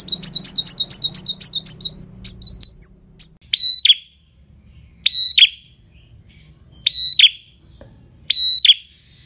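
A prinia opens with a quick run of about eight high, sharp chips, then gives loud buzzy bursts every couple of seconds.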